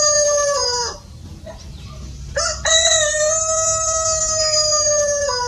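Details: Rooster crowing at a chicken farm: a first crow drops in pitch and cuts off near one second, then after a quiet gap a second long, strained, steady crow is held for nearly three seconds with bright overtones.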